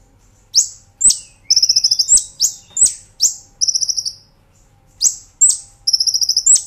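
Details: Loud nembak ngerol singing from a Brown-throated sunbird (kolibri ninja), a master for cage birds: shrill, downslurred chirps fired singly or in pairs, broken by short rapid rattling trills of evenly repeated notes.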